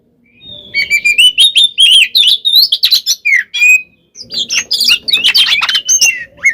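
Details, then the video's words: Oriental magpie-robin singing its fighting song, intended to bait rival birds into answering: a thin rising whistle, then lively phrases of whistles and harsh notes, a short pause, then another dense burst. "kacer gacor NGEPLONG tarung ini AMPUH buat PANCINGAN KACER agar EMOSI NYAUT"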